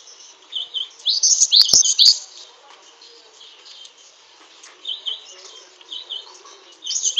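Cinereous tit giving high, thin chirping notes in short bursts, loudest early on and returning twice, with a couple of sharp clicks.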